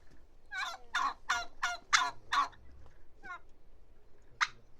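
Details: Short rolling turkey call of about six quick coarse notes, followed by two lone notes after a pause.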